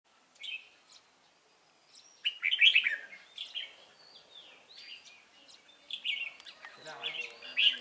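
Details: Red-whiskered bulbul of the Cánh ruồi type, recorded while trapping on 3 March 2017: scattered whistled phrases around the mid-high range, a quiet opening note then livelier warbling bursts after two seconds, with other chirps mixed in.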